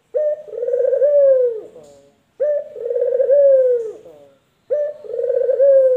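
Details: Male collared dove, local or white variety, sings three throaty, trilled coos about two seconds apart, each curving downward at the end.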